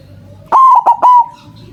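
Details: White zebra dove call for attracting doves to a trap: a loud, clipped three-part coo phrase at a steady pitch, ending in a sustained note that fades out.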